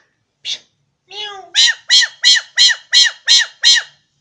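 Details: Talking mynah bird, mimicking: a short squawk and a gliding note, then seven loud, identical arched harmonic syllables repeated about three times per second in a quiet indoor setting.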